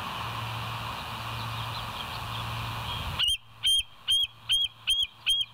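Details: Bald eagle at the West End nest, live cam, 26 September 2023, 07:01: after three seconds of hum and hiss, six loud, high piping notes spaced about half a second apart.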